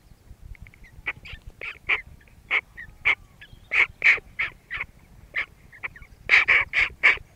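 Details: Hooded crow giving a series of short hoarse caws at irregular intervals, some louder and closer, over a low rumbling background noise.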